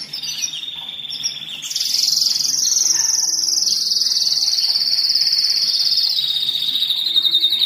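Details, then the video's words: Canary singing to stimulate males and prepare females for mating, used for teaching young birds: a long sustained high buzzy roll running unbroken for about six seconds after a few brief opening notes. "تغريد الكناري للتسميع في مرحلة القلش و الراحة"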